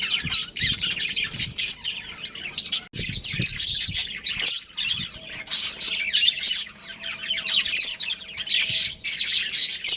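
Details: Breeding pair of pet budgerigars chattering nonstop: dense bursts of high, scratchy chirps and twitters with brief pauses near three and four and a half seconds, then the busy warbling resumes.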